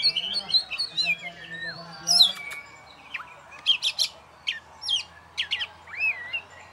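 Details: Champion oriental magpie-robin in a cage, performing alone. It gives sweet whistled slides and warbles, then spaced sharp chips and upward-curling whistles, with a low voice briefly heard at the start.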